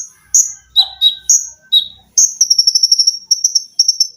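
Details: Olive-backed sunbird, a cage bird singing in full dense 'tembakan' style with sewing-machine, shrill 'lengkingan' and 'besetan' phrases, recorded as a training tape: sharp high notes at two pitches, then a fast, evenly pulsed piercing trill.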